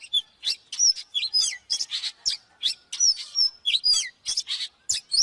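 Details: Varied whistled song of an oriental magpie-robin, for teaching birds to sing: short phrases of slurred whistles and harsh chirps come about every second, with brief gaps between them.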